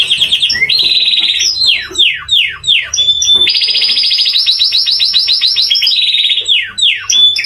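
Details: Contest canary in full song: bright rapid trills broken by a series of quick downward-sweeping whistled notes, then a long pulsing trill and more falling notes, all clear and loud.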